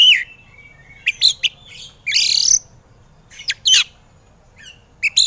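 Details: White-rumped shama in an excited state, training recording for reluctant singers: thin whistled notes followed by sharp chips and a loud harsh rasping burst, then more scattered chips with pauses.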